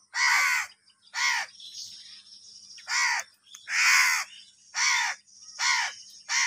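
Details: During an angry fight for food, a crow calls about once a second with harsh, raucous caws, seven in all. Faint scratchy chatter sounds between them.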